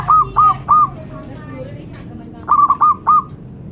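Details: Zebra dove song: a bright phrase of three short, rolling coo notes, a pause of about two seconds, then another three-note phrase, over a low background hum.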